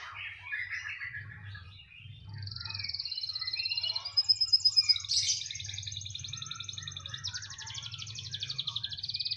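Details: A canary, described as singing no matter where it is placed, gives a long buzzy roll, then loud pulsed bursts, then a sustained rapid trill, over a low droning hum.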